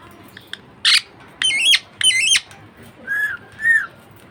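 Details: Budgie parakeet kept as a pet giving a rough burst and two loud harsh stepped squawks, followed by two softer arched chirps.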